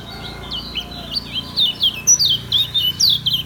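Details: Kecial kuning from Lombok, a lemon-bellied white-eye, singing ngejos style: fast bursts of bright, high, sharply slurred chirps, about four per second, growing louder through the phrase.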